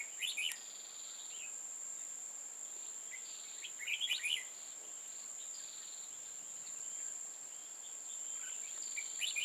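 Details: An old wild red-whiskered bulbul with a lofty crest and dark bib, heard while being trapped on 15 October 2018: three bursts of quick warbling chirps about four seconds apart over an unbroken high whine.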